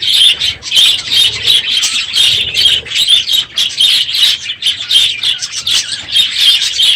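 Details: Budgerigars packed into an aviary after the breeding season, very loud this morning, chattering in pulsing bursts of high chirps roughly every half second, with faint wing flutters.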